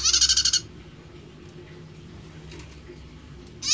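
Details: A prinia gives an unusual song, unlike its typical one: a loud burst of about ten fast, buzzy, clipped notes, then a quiet gap before a second burst begins.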